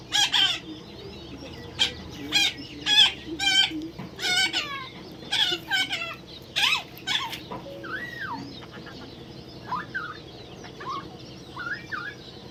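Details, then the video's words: Baby parrot being tamed, giving harsh, buzzy screeches in quick loud bursts through the first seven seconds, then softer rising-and-falling whistled notes, over a steady low background hum. "natural funny parrot sound"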